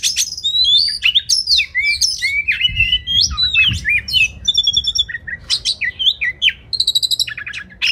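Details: Kacer, the Oriental magpie-robin, in a tutor recording for contest birds: dense, rapidly changing song of swooping whistles, harsh scratchy notes and short repeated trills, with a soft low rumble beneath.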